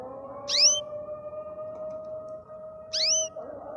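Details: Singing happily, a canary utters two brief high swooping whistles separated by a long pause, with a constant low humming tone underneath.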